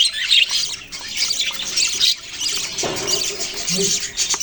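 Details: Chirping budgerigars: busy high-pitched twittering and warbling from several birds, with a louder harsh squawk near the end and a low hum in the background.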